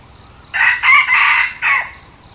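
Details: Trial of a new decoy red junglefowl cock: one full crow of four harsh, raspy segments, the middle two longest and the last a short drawn-out tag, over quiet background.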